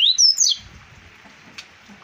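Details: A captive Double-collared seedeater in Arapiraca, Alagoas, Brazil gives a quick half-second burst of bright, high, sweeping whistled notes, then falls silent apart from one faint tick.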